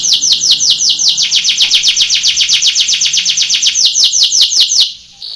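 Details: Belgian canary training song for contests: rapid repeated high trills of downward-sweeping notes, about two to three per second, steady and loud, ending abruptly with a brief pause.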